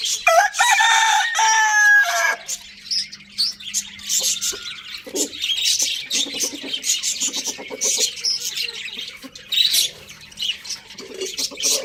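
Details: Pet Lohmann Brown rooster crowing in the morning: a loud, rich, harmonic crow of about two seconds opens, then dense high chirping and chattering of budgies and other small birds carries on throughout.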